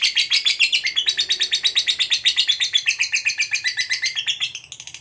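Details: Lovebird fighter, kept as a cage bird, giving a long continuous ngekek trill used to provoke other lovebirds: a harsh, buzzy chatter of rapid notes about four per second, sliding gently downward, sustained for five seconds.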